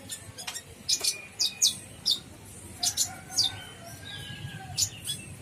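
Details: Brown-throated sunbird song: spaced high, sharp chip notes in short bursts, with a few longer thin whistled tones underneath.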